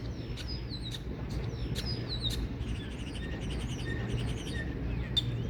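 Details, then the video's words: Common starling giving a lively run of high whistles and rapid clicking notes, repeated roughly every half second, followed by a busier chatter of squeaks, over a low hum. "Starling Bird Call | Common Starling Bird Sound"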